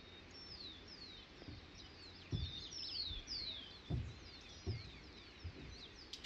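Bearded Mountaineer giving thin, high squeaky notes that slide downward, repeated steadily, with dull low thumps and light wind noise beneath.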